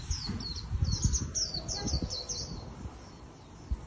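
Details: Wild-caught Japanese white-eye kept as a cage bird, prized for trapping bouts, giving a quick run of thin, high chirping notes over the first two and a half seconds, above a steady low rumble of background noise.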